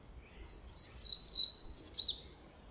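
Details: Black-throated Gray Warbler singing in spring in Coast Range foothill conifer forest at Peavy Arboretum near McDonald Forest. A short, very high, buzzy phrase of wheezy notes ends in a louder, rising, slurred burst. Its song can resemble the Hermit Warbler's.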